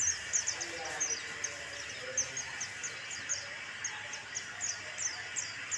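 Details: Singing lure of a white-eye: bright, high-pitched chirps and rapid slurred twitters following one another almost without pause, thin and sweet, over constant hiss with faint lower mid-range murmurs.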